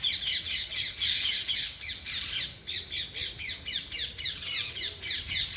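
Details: A continuous stream of loud, grating parrot chirps, almost four per second and fairly even, from a natural outdoor flock.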